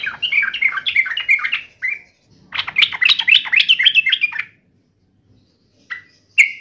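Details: Fighting-mode yellow-vented bulbul singing two rapid runs of chirpy, rattling notes, then falling quiet apart from two sharp single calls near the end.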